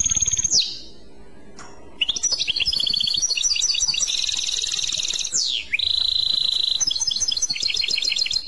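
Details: European goldfinch song in the style called clochette, a long varied run of bright tinkling, trilled and twittering phrases with rising and falling slurs, over constant background hiss.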